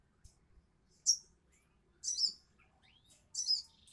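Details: Sogok ontong, the crimson sunbird, gives three separate high, shrill bursts about a second apart, each a quick twittering flourish, with thin faint whistles between and a quiet background.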